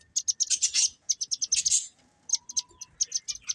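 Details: Pet budgerigar breeding pair uttering quick series of sharp, high chirps in short bursts, a pause with a faint rising whistle, then more spaced chirping.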